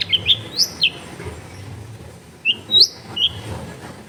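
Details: Long-tailed shrike singing as a lure for reluctant shrikes, recorded at home in a crowded neighbourhood: short bright rising whistles and sharp chirps in two bursts separated by a pause, over low background rumble.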